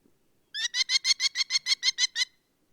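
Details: Rapid 'kli-kli-kli' series from a Merlin, Europe's smallest falcon: about eleven high, sharp notes delivered evenly in a burst of under two seconds, with nothing else audible.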